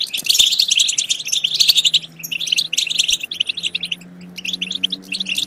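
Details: European goldfinch song played to stimulate goldfinches to sing and mate: dense, fast twittering of bright chirps and trills in overlapping bursts, with brief pauses and a faint low steady hum beneath.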